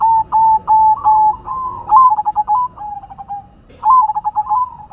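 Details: Zebra dove of the silver variety in lively song, with several steady, evenly pitched coos followed by rapid stuttering runs of short clipped notes, a pause, then another stuttering phrase beginning.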